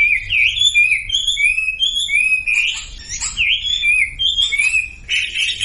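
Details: Sumatran leafbird song played as a lure to prompt silent birds to start singing: a continuous stream of bright, high whistled phrases that slur up and down, tightly linked with scarcely a pause, ending in a denser buzzy burst.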